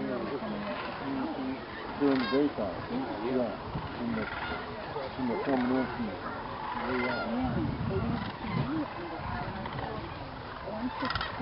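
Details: Thousands of sandhill cranes gather at dusk in a viewing field at Jasper-Pulaski State Fish and Game Preserve, Indiana, before going to roost in the swamp; many overlapping rolling, trumpeting calls with clear harmonics, with onlookers' voices in the background.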